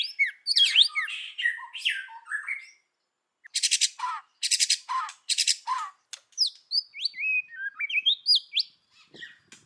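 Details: Singing white-rumped shama in forest voice, kéo thuốc lào style, to rouse other birds: varied whistled slurs, a pause, three loud buzzy bursts ending in low slurs, then quick rising and falling whistles.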